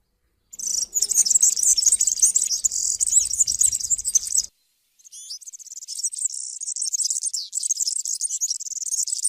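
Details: European serin singing: a rapid, very high, buzzy jingling trill poured out almost without break, then resumed after a half-second pause, with faint low rumbling beneath the first half.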